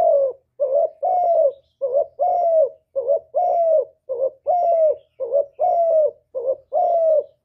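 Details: Cooing spotted dove singing a full hạp bổi song of calling, urging and cooing, recorded directly without background noise: paired phrases of a brief dipping note and a longer, gently descending hoot, repeated steadily about once a second.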